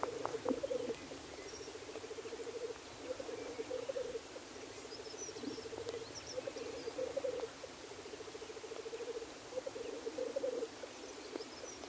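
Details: Male black grouse displaying at the lek: bubbling phrases about two seconds long follow one another without a break, each swelling to a louder warble and then fading, over a steady background murmur.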